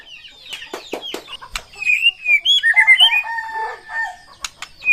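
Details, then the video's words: White-rumped shama, a caged songbird, giving varied clear whistles, slurred notes and sharp clicks in a loose, shifting sequence, with some wing flutters or knocks at the start. "OCEHAN MURAI BATU GACOR"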